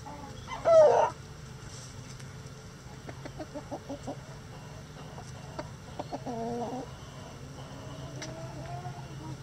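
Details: Backyard flock in a sunny coop with over 20 roosters: one loud harsh squawk early, then soft spaced clucks and a short wavering call, against a low background hum.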